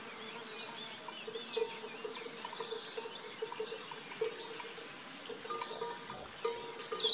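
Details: Song thrush nestlings, about three, in a garden nest give thin, high, wheezy chirps in short irregular bursts while the parent feeds them, louder near the end, over a steady low insect buzz.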